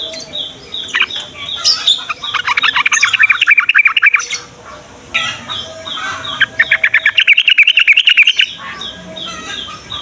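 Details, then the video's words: Yellow-vented bulbul singing in the morning, a recording used to coax young bulbuls into song: two bursts of rapid bubbly, warbling notes over a steady background of repeated high pulsing calls from other birds. "SUARA BURUNG TRUCUKAN PAGI HARI"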